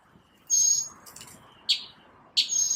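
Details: One bird sings in the morning, per the recording: a high, pure sustained whistle, then short sharp clicked notes and another high whistled phrase, spaced about a second apart, against a faint background hiss.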